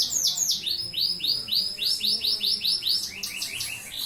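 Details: Canary singing at night: a fast series of high, downward-sweeping notes repeated about four times a second, forming a steady rolling trill that breaks into quicker chirps at the end.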